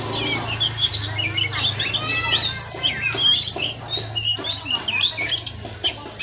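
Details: Oriental magpie-robin (kacer) from a breeding aviary, a 'pastol' tutoring recording: busy, rapid medley of high chirps, trills and whistled flourishes, almost without pause, over a low steady hum.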